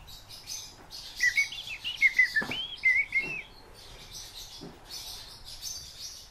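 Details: Fieldfare kept as a pet indoors, uttering several short chirps and slurred whistles in a quick cluster, then a pause with soft clicks and background hiss.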